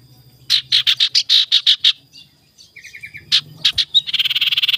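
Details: Ashy tailorbird (sirtu) singing in the morning, a lure recording used to provoke rivals: a series of eight loud, sharp, high notes in rapid succession, a pause with softer notes, then a fast buzzy rattling trill.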